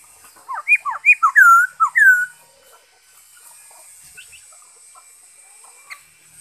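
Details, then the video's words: Black-throated laughingthrush singing, recorded 5 May 2021: a quick run of loud, clear whistled notes, some rising and some slurred downward, bunched in about two seconds, then near-quiet with a few faint chips. "Saib noog sab hwj zoo nkauj,bay khuou,นกกะรางคอดำ"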